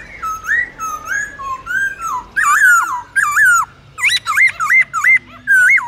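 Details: Forest-style song of a Black-throated laughingthrush, meant for teaching young birds: a series of mellow whistled phrases, then louder clipped notes with sharp upward-then-downward inflections toward the end.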